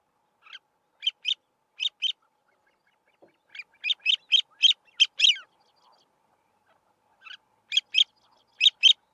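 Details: A male grey-winged francolin calls from a termite mound in open grassland: harsh, squeaky high notes, often paired, in three quick bursts of five to nine notes, otherwise quiet.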